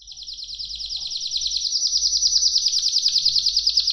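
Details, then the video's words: Canary delivering a continuous, very rapid high trill, evenly pulsed and growing louder throughout, like a fine rattling roll. "صدای قناری"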